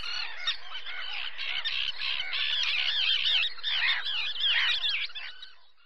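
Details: A great reed warbler sings at Zámecký rybník pond, Chropyně, on 18 May 2017: a loud, harsh run of croaking and grating notes, each phrase repeated a few times in quick, jerky succession.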